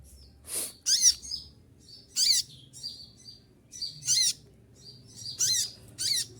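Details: In the middle of its moult, an olive-backed sunbird sings shrill, tight 'shooting' phrases: about six bright, piercing bursts, irregularly spaced, with thin high twitters and one soft thud early on.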